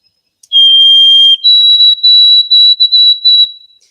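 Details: A White-throated Sparrow sings during spring migration: pure whistles, one long steady note, then a higher note repeated in quick stuttering pieces, the pattern often remembered as 'old Sam Peabody'.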